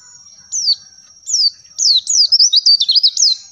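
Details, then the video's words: Oriental white-eye singing very high and thin, used as master/training audio: two quick falling slurred whistles, then a fast jumbled run of twittering notes, over a faint steady high whine. "MASTERAN AUDIO TERAPI PLECI"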